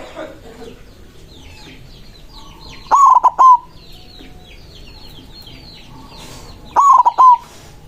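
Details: Zebra dove of the white form singing to challenge rivals: two rolling, pulsed coo phrases nearly four seconds apart, separated by quiet stretches filled with faint twittering of other small birds.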